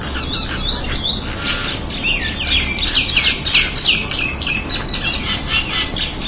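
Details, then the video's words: Crested myna producing rapid chattering calls, grating squawks and bright looping whistles, about three notes a second, loudest in the middle, over a soft constant outdoor hiss. "Crested Myna Sound Effect | Acridotheres cristatellus |Som de Myna com crista"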